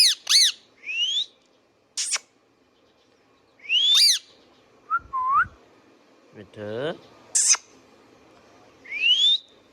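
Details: Pet Indian ringneck parakeet mixing shrill squawks, rising whistles, low upslurred notes and a buzzy harmonic-rich call in a busy sequence, ending on one more upward whistle.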